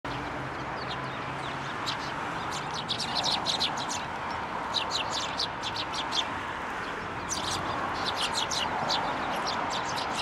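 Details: Several sparrows flying onto a hand to be fed at a Tenmangu shrine, 15 January 2024; dense bursts of short, sharp chirps, quiet at first and then clustered through the middle and end over steady background hiss.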